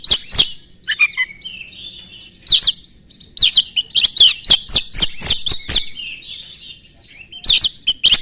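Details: An Oriental magpie-robin sings rapidly as a lure for rival magpie-robins to reply. Short soft warbles give way to a long rattling run of quick, sharp chattering notes, then silence and a final burst at the end.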